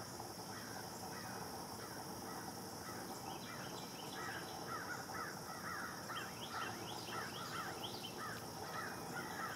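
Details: White-eyed vireo at Lake Conestee Nature Park, Greenville, South Carolina, USA, on 14 October 2017, giving harsh, raspy call notes in quick, uneven runs, growing busier toward the end, over a steady high hiss of background noise.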